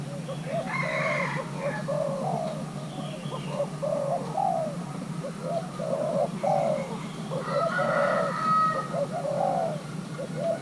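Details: Young male Thai-crossbred spotted dove, prompted to call while being paired with a mate, gives repeated low hoarse coo phrases of two to three notes. Higher chirps from other birds are heard in the background.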